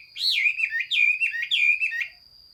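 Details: Chinese hwamei singing, recorded 15 June 2021: three loud, rich whistled phrases, each a rising then falling slur that breaks into quick warbling notes, separated by short pauses. A steady high thin tone runs underneath.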